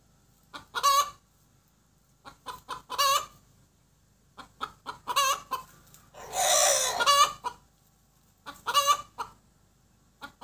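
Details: Cackling of a laying hen just after producing an egg: staccato cluck series rising into emphatic squawks, recurring about every two seconds, interrupted once by a broad noisy rasp.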